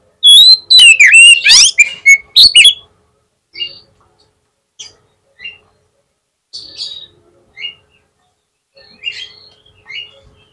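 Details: Oriental magpie-robin (kacer) song used as a lure to provoke a rival kacer into answering: a loud burst of varied whistled and harsh notes for about two seconds, then scattered short high chirps spaced through the rest.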